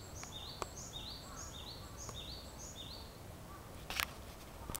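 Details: Japanese tit in song at dawn, 4:50 am, 7 April 2011, Yokodo green space in Chiba City, Japan; quick repeated high two-part notes, stepping down then up, about five phrases, with sharp clicks and low background hum.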